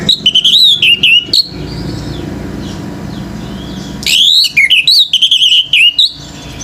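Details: Male orange-headed thrush singing energetically to provoke rival birds: rich warbling phrases of varied whistled notes, rapid and choppy, in two long bursts separated by a quieter gap with soft distant chirps.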